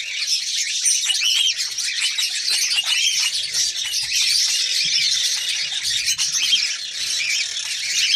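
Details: Female red-crowned parakeet (kakariki) ready to mate: an even, dense wash of shrill, squeaky chatter lasting throughout, with no clear pauses.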